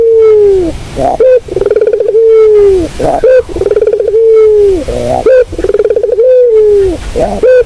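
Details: Barbary dove cooing, used for luring birds: pulsed, purring phrases alternate with long, smooth, slightly falling tones and short bright notes, repeating roughly every two seconds.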